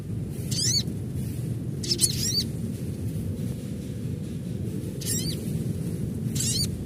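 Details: Natural call of an adult crimson sunbird: four quick bursts of high, buzzy zigzag notes, spaced unevenly across the recording, over constant low-pitched background noise.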